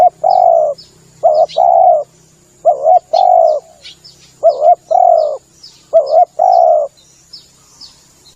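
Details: Spotted dove call played as a lure: five coo phrases, each a short doubled note leading into a longer coo, with faint high chirping and a low hum behind.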